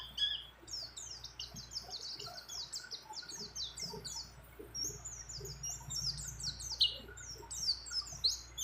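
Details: A white-eye hen calling to a male, in breeding condition, with many other birds' phrases included: very high, dense twittering of quick downslurred chirps, steady and unbroken over faint background hiss.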